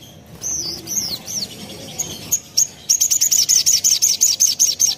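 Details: Spiderhunter, known locally as sogon, used as a lure recording to make other spiderhunters answer. A few scattered high notes lead into a fast, even series of sharp, high chipping notes, about a dozen in a row.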